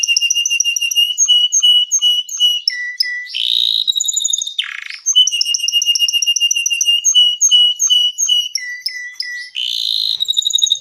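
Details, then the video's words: Gacor canary singing at length, a song meant for baiting and tutoring young birds: runs of quick clear repeated notes shifting pitch every second or so, broken by two harsh buzzy rattles, continuous and loud. "THIS LONG GACOR Canary is suitable for baiting, mastering PAUD CANARI and SOUND-MAGIC CANARI"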